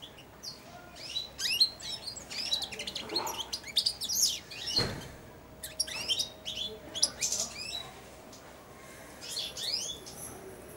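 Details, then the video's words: Young European goldfinch, four months old, in a cage, twittering its early subsong beside and on a feeding hand: continuous rambling run of quick high chirps, slurred notes and short trills with brief pauses. "καρδερινούλα κελαηδάει δίπλα στο χέρι αλλά και πάνω σε αυτό!"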